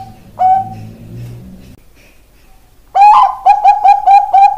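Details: Zebra dove of the Bangkok perkutut type, ring 495: one isolated coo, a pause of over a second, then a fresh burst of rapid mellow cooing notes.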